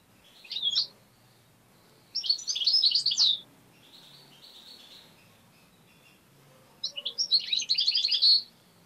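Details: Tame European goldfinch kept as a pet, singing strongly: three bursts of rapid, tinkling, buzzy twitters, the longer ones about a second each, separated by pauses with a faint steady hum and low background noise.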